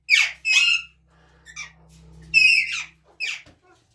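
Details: Ringneck parrot, likely kept as a pet indoors, giving harsh broadband squawks in short bursts, two close together at the start, then a softer note and two more loud screeches, with a faint low hum underneath.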